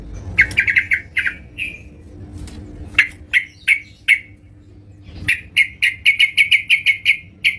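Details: A yellow-vented bulbul in full song at home: a fast rattling run of sharp notes, a pause, four spaced chirps, then a long rapid series of about ten bright staccato notes, with a faint low hum.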